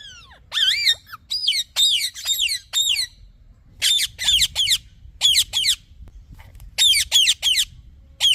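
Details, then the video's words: Parrot chirping: bursts of sharp, high harmonic chirps, each sliding down then up, grouped in quick runs of two to four with short quiet gaps between. "Talking Parrot Chirping Sounds"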